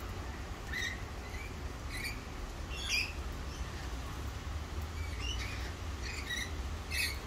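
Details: Several wild Australian rainbow lorikeets give scattered short, sharp, screechy chirps and squawks across seven seconds, some paired in quick succession, softer than the low rumbling background noise.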